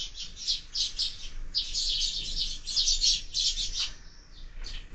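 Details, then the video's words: Sparrows fighting at a feeder mounted on a window: continuous harsh excited chattering, fading near the end before a last chirp, over low background noise. "Воробьи в кормушке - драки, драки - ужас просто"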